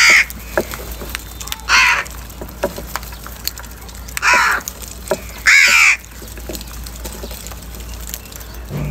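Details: Crows squabbling over food in the morning give loud, harsh caws, each about half a second long, spaced irregularly with quiet gaps of one to two seconds between them.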